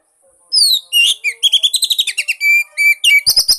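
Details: Lure song of an Oriental magpie-robin, or kacer, meant to set a silent bird singing: a rapid, varied run of sweeping whistles, trills and sharp chips that grows denser and ends in a burst of repeated notes.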